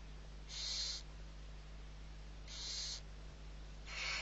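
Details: Barn owl owlets, six being fed, at Riet Vell reserve in the Ebro Delta, Spain, on 21 November 2023: three drawn-out, breathy hisses about half a second each, spaced roughly two seconds apart over a steady low hum.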